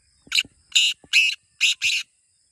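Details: Black francolin (kala teetar), a kept bird, giving its call: five loud, harsh, grating bursts in quick succession over about two seconds, each a rasping broadband note, with short gaps between and a quiet background.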